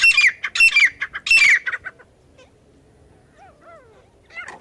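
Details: Partridge calls, recorded for luring partridges to catch them: three loud, harsh, grating bursts of clustered notes in the first two seconds, then a few softer scratchy notes, quiet gaps, and faint thin squeaks near the end.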